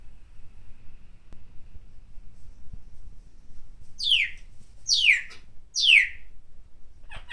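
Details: Pet parrot cheering in a small room, said to call out "Go! Jeremy!" in support of basketball player Jeremy Lin during his games. After a quiet start come three harsh, descending squawks about a second apart, then a clipped fourth note.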